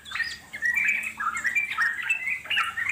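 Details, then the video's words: Yellow-vented Bulbul, wild bird, in continuous ngeropel chatter: quick liquid warbles rising and falling with no real pause. "puterin suara trucuk alam di jamin lasung nyaut NGEROPEL PANJANG"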